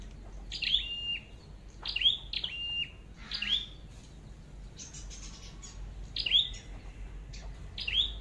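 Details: Red-headed flowerpecker heard during bird trapping in Vietnam, where a wild bird was caught: sharp, high, downward-sliding chipped notes in short bursts, repeated about every one to one and a half seconds, over quiet background hiss.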